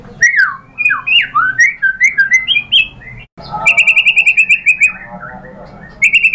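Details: White-rumped shama song used as a lure to prompt other birds into singing. Varied loud whistled and slurred notes lead into a fast run of repeated sharp chips, which resume after a short pause.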